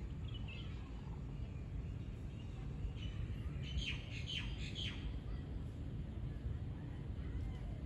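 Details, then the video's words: Common myna recorded in Dubai, U.A.E.: a short cluster of rasping, descending squawks midway through, fairly faint above constant low traffic noise. "Common Myna - Birds of Dubai, U.A.E."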